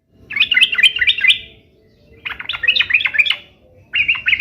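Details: Sooty-headed bulbul in energetic song, meant to draw an answer from other bulbuls: three phrases of quick, jumbled warbling notes, each lasting about a second, with short pauses between.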